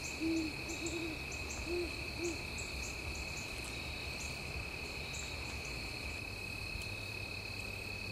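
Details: Great horned owl hooting at sunset on Mt Nittany: a low, soft hoot, then a quick double hoot, then two more single hoots within about two seconds, over a steady high whine of insects.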